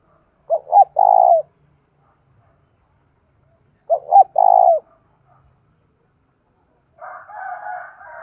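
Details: Caged decoy spotted dove urging and calling to excite wild doves. Two identical phrases about three seconds apart, each with two brief hiccuping notes and a sustained burry coo, then a softer, rougher wavering coo near the end.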